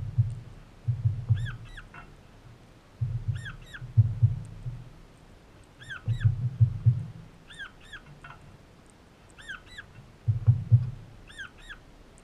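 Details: A young crimson rosella in a backyard gives short, bright, slightly rising double and triple notes in groups every two seconds or so, over low rumbling thumps of wind or handling.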